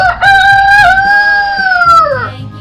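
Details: Rooster crowing: one long, strong cock-a-doodle-doo that holds a steady tone for about two seconds, then falls away at the end. Soft music plays underneath.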